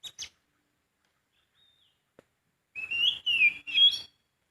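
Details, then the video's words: A sooty-headed bulbul in the wild gives three quick whistled notes, rising then falling, after a few faint ticks in quiet surroundings. "Kicauan burung poci di alam bebas"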